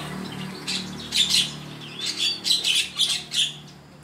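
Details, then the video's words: Oriental magpie-robin (kacer), a kept bird in Sukanegeri village, singing sweetly again at midday; bright high whistled and chattering notes come in quick bursts about every half second, over a low steady hum. "KACER MILIK PAK RAHMAT MUSLIMIN DESA SUKANEGERI MULAI BERNYANYI MERDU KEMBALI"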